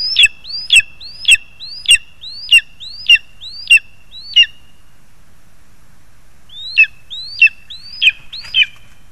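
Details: Lesser spotted eagle parents feeding their young, 2 August 2020: a run of eight sliding, yelping notes, a pause of about two seconds, then four more, over a thin constant high tone.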